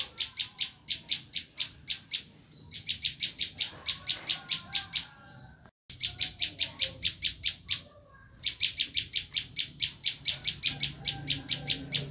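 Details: Screaming call of a bar-winged prinia, used as a lure for wild birds: long bursts of rapid, rasping, high-pitched notes, one abrupt cut-off midway, then the chattering series resumes steadily.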